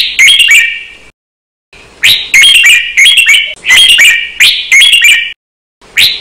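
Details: Caged red-whiskered bulbul's training song in the Thai counted-phrase style, described as doubled and quick. Loud, clipped, warbling whistled phrases come in bursts, with about four bursts separated by short silent gaps.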